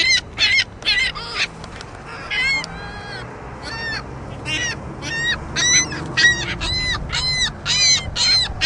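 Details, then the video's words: Juvenile ring-billed gull squawking nonstop, a quick run of raspy, harmonic-rich calls, many sliding down at the end, delivered about twice a second with brief gaps, low rumble beneath. "Endlessly Squawking Gull!!"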